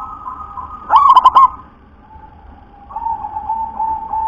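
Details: Local zebra dove, described as having a very thick, deep voice, gives one quick rolling phrase of four or five pulsed coos, then a low, steady, softer tone continues.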